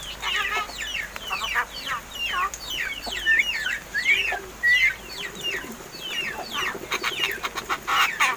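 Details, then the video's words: Pet mynas, roughly seven months old and said to be learning speech, give repeated looping chirps and squeaky twisting notes. There are a few short flat whistles, with rapid ticking sounds toward the end. "MARTINEZ BIRD TALKING!"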